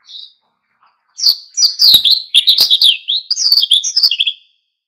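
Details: Oriental white-eye in vigorous wild-style ngalas song, used to provoke other birds into singing: one thin high chirp, a pause, then a fast run of twittering, chirping notes lasting about three seconds.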